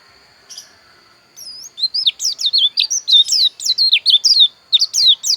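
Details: Pleci dakun bali white-eye from Pupuan, Bali, opening with a short chip, then a rising whistle and a long rapid sequence of high, swooping and sliding notes with short gaps.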